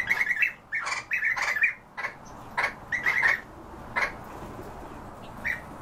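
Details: European bee-eaters calling steadily: rolling, burry trilled notes in quick clusters of two to four, pausing briefly and resuming repeatedly, dense at first and thinning toward the end over a soft background hiss.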